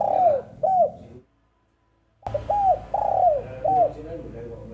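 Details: Cooing of a female spotted dove: a long down-slurred hoot and a short one, a brief silence, then a fresh phrase of short and long falling mellow notes over a low hum.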